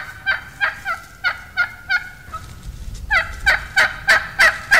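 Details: Wild turkey hen gives a plain yelp, basic turkey communication used by hunters to attract gobblers: raspy, evenly spaced yelps, about three per second, in two runs, the second run after a short pause louder.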